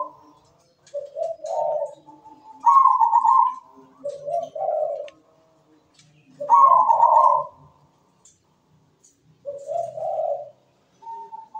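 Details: Perching zebra dove (perkutut) in full, sweet-voiced song with good rhythm: low burry coos alternate with higher rolling trills, phrases repeated every few seconds with silent gaps between.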